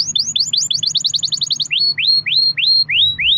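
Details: Domestic canary in constant song, a long-roll recording used as a lure to get other canaries singing: a fast chain of high upslurred notes, then five slower, louder rising whistles about half a second apart.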